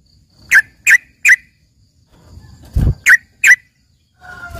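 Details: Yellow-vented bulbul, trucukan isian style, likened to a greater green leafbird in full song: three quick sharp chirps, a pause with a low thud, then two more chirps and a brief lower whistled note.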